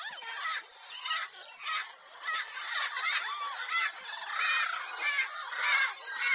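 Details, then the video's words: Noisy lorikeet chatter, parrot sounds picked to entertain a pet bird: overlapping squeaks, piercing screeches and rasps, nearly continuous, rising in intensity toward the end. "Parrot Sounds For Birds"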